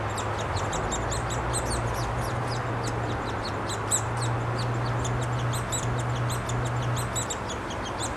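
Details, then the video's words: Downy Woodpecker chicks begging as a female and a male bring food at the nest, Wolfe Park, Columbus, Ohio, 26 May 2013; a ceaseless high-pitched chatter of squeaky notes, several per second, with a steady low drone beneath. "Downy Woodpeckers Feeding Young"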